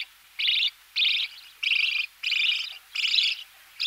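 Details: Close-up budgerigar nestlings begging during feeding, with raspy chirring bursts each about half a second long, spaced by brief silences.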